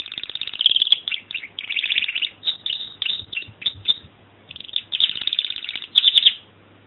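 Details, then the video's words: Canary in full song: a long, nearly continuous flow of high rolling trills and warbles, broken by brief pauses, with loud ringing phrases near the end. "Singing Canary"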